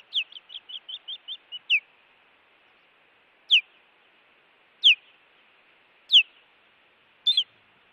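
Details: Osprey facing an intruder at its Montana nest, 16 June 2017: a rapid series of about ten high piping chirps, then four loud, down-slurred whistles spaced over a second apart.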